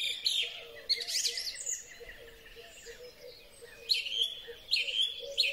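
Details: In spring, a song thrush recorded with a Huawei P30 Pro phone sings a twittering burst, pauses, then gives three similar sharp whistled phrases in quick succession. Soft low cooing sounds throughout.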